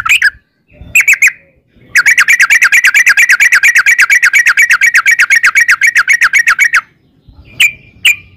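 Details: Sooty-headed bulbul singing vigorously in the long 'ropel panjang' rolling style, used as a lure to set other bulbuls singing: a few bright chirps, then a rapid run of about thirty-five bubbly notes over five seconds, then scattered chirps.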